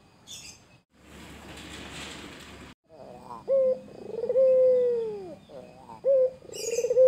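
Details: After a burst of rustling noise, a white Barbary dove taunting a rival starts up: a stuttered rolling lead-in, a sustained low coo curving down, and a clipped note, with high chirps of other birds at both ends.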